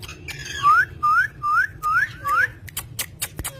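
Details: Pet green ringneck parrot giving five clear, rising whistled notes about half a second apart, followed by a few sharp clicks, over a low background hum.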